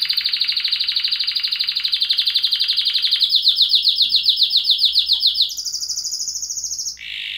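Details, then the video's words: Canary delivers a sustained rolling trill of rapid pulses, rising in steps to higher and faster trills, then closes with a brief buzzy, lower rattle. "chant de canari magnifique تغريد طائر كناري رائع"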